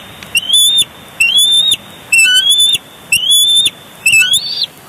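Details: Bald eagle at a Big Bear Lake nest, 23 June 2022, on a live cam during a tussle over a big fish just brought in: a series of high, upward-sliding whistled squeals, about one a second, five in all.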